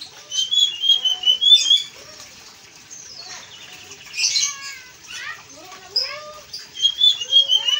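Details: Blue-and-white flycatcher in lively full song, used to train other birds: high, thin whistled strands that waver and slur, broken by a pause and mixed with lower chirps and rising notes, before the whistling returns.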